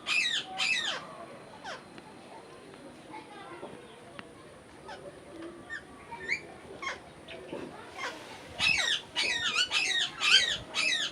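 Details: Parrot chirping: scattered short chirps and clicks, then a burst of loud harsh repeated squawks near the end, each rough and broadband, coming in quick succession.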